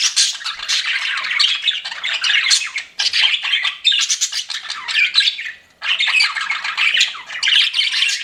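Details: Pet budgies chirp in bursts of scratchy, squeaky warbling, separated by brief pauses, each burst packed with fast twitters and squawks.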